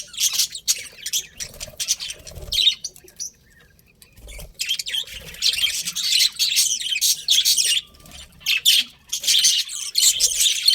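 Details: Pet budgerigars chattering in uneven bursts of grating chirps and squawks, falling quiet for a few seconds early on, then resuming with dense, lively warbling.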